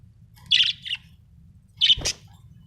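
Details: Happy budgerigar chirping: two short bursts of bright, high, slightly raspy chirps about a second apart, each a quick cluster of notes, over a faint low background hum.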